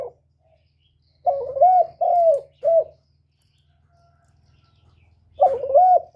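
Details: Spotted dove calling to provoke males, with a cluster of three deep coos, a pause with faint background rumble, then another warbling coo phrase.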